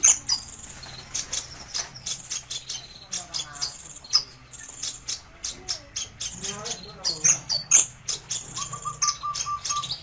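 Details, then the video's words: A busy run of high ticking chips and squeaky notes from a kolibri ninja sunbird, nearly continuous for ten seconds, with a short steady whistled tone near the end and low background hum. "Suara Burung Terbaru 2020 - Kolibri Ninja (Konin) Cocok Untuk Masteran"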